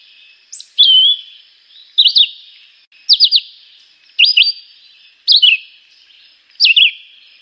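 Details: Chivi vireo song made of short, bright, high phrases, some a quick trio of notes, others a downward slur, six phrases at about one-second intervals in a quiet setting.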